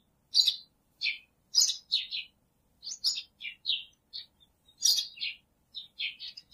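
An Oriental magpie-robin sings a varied run of clear, high whistles and rich warbled phrases, each brief and changing in pitch, with short pauses between them in a quiet setting.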